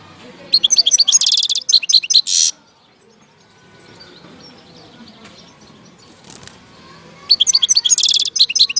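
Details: Goldfinch from Algeria, recorded in 2019, gives two loud bursts of rapid, tinkling, twittered notes mixed with buzzy trills, separated by several seconds of near silence and faint background noise.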